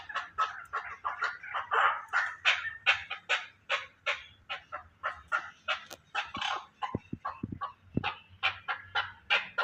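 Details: Chukar partridge in Pakistan giving a rapid run of harsh, clucking chuk notes, about three per second, rising into a dense chattering series. Faint low rumble in the background.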